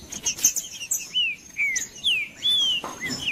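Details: Green-winged saltator song to warm up a cold bird: clear, down-curving whistled notes spaced about half a second apart after a burst of high chirping, with a thin constant tone behind.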